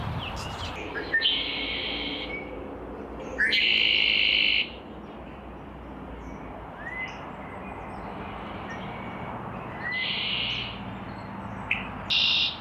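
Red-winged blackbird giving its gurgling conk-la-ree, short rising notes ending in a harsh, buzzy trill, repeated four times over a low background hiss.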